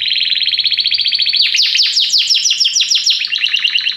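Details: Belgian canary singing a popular song: a fast, even trill of short notes, then a switch to quicker, sweeping downslurred notes rolled together into a bright chattering rattle.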